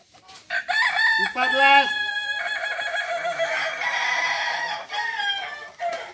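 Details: Balenggek roosters at a crowing practice contest in Ampang Kualo, Kota Solok: long harmonic crows stepping down in stages, several birds overlapping, one crow fading into another with faint voices behind.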